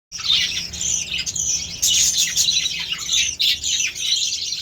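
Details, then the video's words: Budgerigars chattering while being given beetroot as part of their diet: a dense, continuous stream of high, scratchy warbles and chirps from several birds, with brief louder squawky bursts, in an indoor setting. "BUDGIES SOUNDS"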